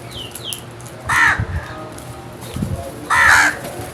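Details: A crow gives two loud, hoarse drawn-out caws about two seconds apart, with thin descending chirps of small birds and some low thumping underneath.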